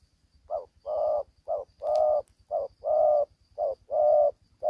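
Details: Young spotted dove, neck spots not yet fully developed, calling during a fight and described as fighting as fiercely as an old bird: loud, low hollow coos alternating short and drawn-out notes, about one per second, with a faint rhythmic low thumping beneath.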